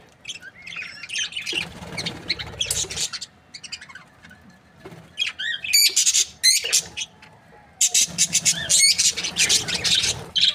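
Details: Australian budgerigars, a breeding pair described as happy, chirping: busy bursts of high warbled chatter, squeaky twitters and short harsh squawks, clustered in dense spells with brief quieter gaps, louder toward the end.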